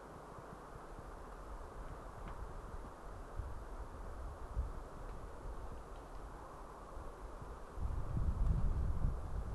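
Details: Low wind rumble and rustling outdoors, with heavier gusts buffeting the microphone toward the end and no animal call.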